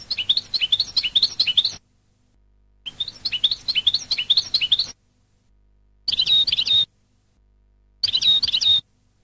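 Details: European goldfinch song from an educational recording meant for training birds: four bursts of rapid, twittering high notes rising and falling, split by short silences, the last two brief with a clear sustained whistle.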